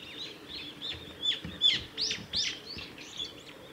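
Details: Brown-eared bulbul at a nature observation garden among cherry trees at a nature environment conservation centre, 10 March 2019; loud harsh, downslurred screeching notes repeated in a quick uneven series, with soft background ambience.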